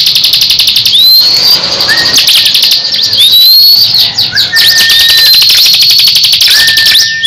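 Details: Crescent-chested babbler singing in competition with a second caged ciblek; rising whistled slurs repeated every couple of seconds over a constant high buzzing rattle, with short level whistles between.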